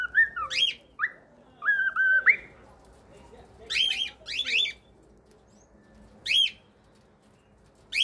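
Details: Cockatiels: two short whistled phrases with gliding notes, then sparse harsh chirps, single or in pairs, spaced a few seconds apart, with quiet in between.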